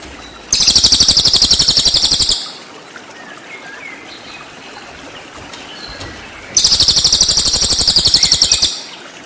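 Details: Cililin training song for murai batu: two bursts of piercing, rapidly pulsed trills, each about two seconds long and roughly four seconds apart, over the constant sound of a flowing stream.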